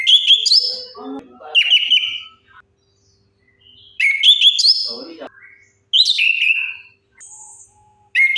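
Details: Lure song of an orange-headed thrush for coaxing non-singing birds: rich whistled phrases with rising and falling slides, four bursts separated by silent pauses of one to two seconds.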